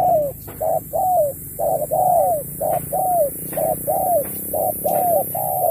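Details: Spotted dove in a singing contest delivers 'Thúc kèm Bo' style phrases: rapid alternation of short notes and longer downward-bending coos, almost continuous, over a steady high electronic hiss.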